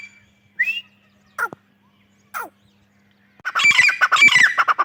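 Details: Breeding-season grey francolin, a female voice, giving three short, separate rising notes, then breaking into a loud, dense run of harsh, squawking calls.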